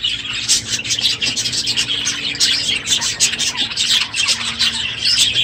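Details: Budgerigars in a full aviary at the close of the breeding season, loud in the morning; busy high chatter, scratchy squawks and sharp chirps from many birds without pause.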